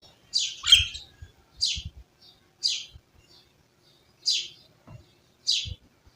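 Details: Village birds chirping in a rural setting: five short, bright, high-pitched chirp bursts spaced about a second apart, each a quick dense flutter, with faint low thumps between them and otherwise quiet surroundings.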